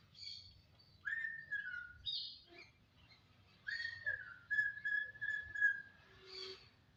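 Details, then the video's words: Jalak, a starling, whistling clear notes: a short high burst, a level whistle, rapid chirpy notes, then a long steady whistled note with a few quick flicks, ending in a rough buzzy chirp. "Siulan menawan Burung JALAK"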